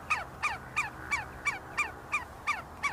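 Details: Evenly repeated, clear whistles that drop in pitch, close to three per second, from see-see partridges foraging and fighting together at the University of Sulaimani, Kurdistan; quiet background.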